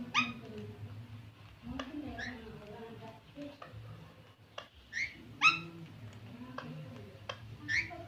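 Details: Green parrot giving sharp, upswept squawking calls with strong harmonics, scattered every second or so over a low murmur of human speech in a room.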